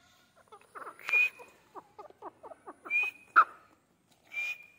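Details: Training session of a grey francolin, with a quick string of rasping, slurred notes in uneven rhythm between loud, breathy bursts that each carry a sharp high whistle.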